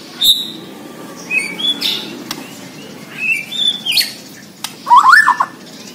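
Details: Borneo white-rumped shama singing: scattered short whistles and chirps with pauses, ending in a bright rising warbled phrase.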